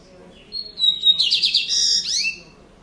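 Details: A seedeater (papa-capim) singing in the Lined seedeater (Sporophila lineola) style: a clear whistle, then a rapid buzzy trill, ending in a sharp downward sweep; it sings persistently all day.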